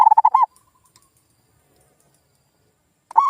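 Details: Zebra dove lure call to get silent local doves calling again. A fast pulsed coo phrase ends at the start, faint soft cooing follows, and a new trilled phrase begins after nearly three seconds of quiet.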